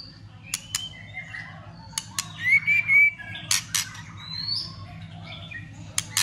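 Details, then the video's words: White-rumped shama clicking continuously with tail-flicking in a fighting display to rouse other shamas: loud, sharp clicks every second or so around a short bright whistled phrase and a few faint whistles. "Chòe lửa kích lửa cực sung ,tạch liên tục đập đuôi kích chòe lửa lên lửa hót đấu.chòe lửa hót"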